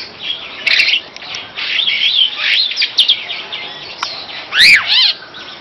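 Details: Superb starling (Lamprotornis superbus) singing a fast, rambling mix of high chattering notes, squeaky whistles and rising and falling slurs, with no steady rhythm.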